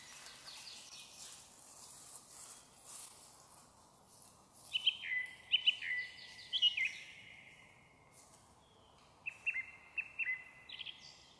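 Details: Song thrush in full evening song in a forest near Zarechny on 1 May 2023, after seven o'clock; after quiet background, clear repeated whistled phrases come in two bursts, each note pattern struck several times in quick succession.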